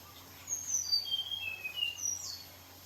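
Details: Red siskin put out for a sunbath delivers a quick descending chain of clear, high whistles, then a higher note that slides into a rasping, buzzy burst, with a low steady hum underneath.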